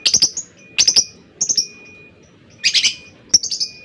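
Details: Lovebird, from a recording made to trigger a rival's long ngekek, giving clusters of rapid high scratchy chirps in quick bursts of three or four notes, separated by short pauses.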